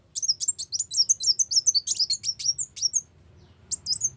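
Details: Brown-throated sunbird (kolibri wulung) lure song for trapping: dense, hurried high chirping, sharp notes tumbling one after another for nearly three seconds, a pause, then a fresh burst.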